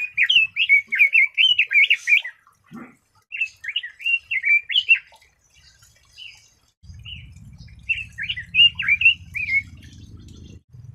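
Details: Red-billed leiothrix song in three bursts of rapid, rollicking whistled notes separated by short pauses, loud and clear, with a low hum joining in the latter part.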